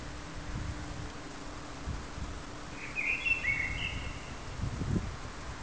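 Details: A common blackbird sings a brief, soft whistled phrase, somewhat distant, amid low rumbling background noise and a faint hum.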